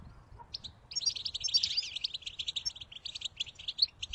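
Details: Goldfinch song intended to prompt a goldfinch to start singing; after a short quiet opening, a lively rush of high tinkling twitters and chirps continues without pause.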